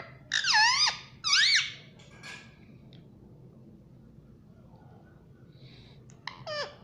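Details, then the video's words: Talking rose-ringed parakeet, an Indian ringneck kept indoors, saying "mommy"; two loud, harmonic, wavering squawk-like words close together, then a softer note, quiet room hiss, and a brief rising final call. "Parrot Natural sound _ Indian Parrot Sound _Talking parrot"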